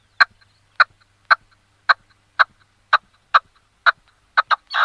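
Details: Red-legged partridge singing: harsh, chuffing notes repeated steadily about twice a second, each a short broad burst, ending in a quick pair and a longer rasping note; quiet background.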